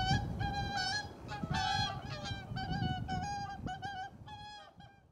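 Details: Whooper swans, apparently pairs calling to each other, perhaps in greeting, on 13 January 2021: loud, bugling honks with rich harmonics, several calls a second overlapping in a rapid back-and-forth, over low rumbling background noise.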